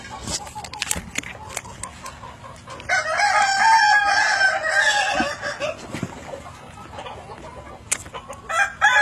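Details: At evening, a Kukuak Balenggek rooster, an endemic Indonesian chicken, gives one long stepped crow after a quiet start with scattered clicks and knocks, followed by faint later noises.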